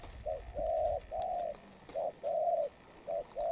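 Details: Moulting spotted dove cooing rapidly: short notes each followed by a longer even coo, repeated in quick succession, clear and close.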